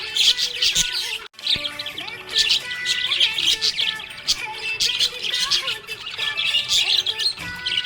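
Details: Happy budgie chattering in continuous high warbles, chirps and short squeaks, briefly dropping out near the start before resuming, accompanied by steady soft background tones.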